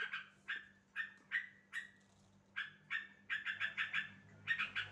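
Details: Calls of a sooty-headed bulbul, used to prompt a silent bird to reply: short notes that drop quickly and trail off, each alone about every half second, then a quick burst of rapid, clipped chattering notes over a faint low hum.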